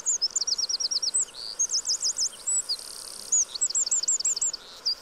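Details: A Eurasian Wren (Troglodytes troglodytes) pours out its song of loud, very high, rapid trills and runs of sharp notes, changing pattern several times in five seconds over faint background hiss.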